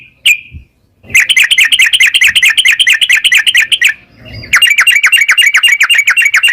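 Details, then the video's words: Rapid ropel trilling of a yellow-vented bulbul, meant to stimulate a bird to sing: a single whistle, then two long, fast, buzzy trills of rapidly repeated notes with a brief noisy gap between them. "trucukan gacor NARUNG Ropel perangsan burung trucukan agar cepat bunyi dan gacor"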